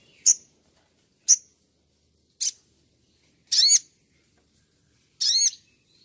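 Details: Sunbird (sogon) on a master recording used for training: five sharp, very high chirps about a second apart, the later ones longer, buzzier and harmonic-rich. Background otherwise quiet.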